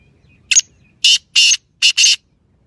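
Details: Francolin, called titer in Sindhi, repeats its phrase: a quick scratchy first note followed by four loud grating bursts, two spaced and two tightly paired, against near silence.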